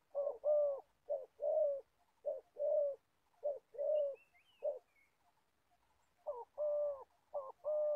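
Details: Decoy spotted dove used to lure wild doves into traps in Gia Lai, Vietnam, repeating low mellow coo pairs about once a second, a short pause midway, faint high chirps in the background.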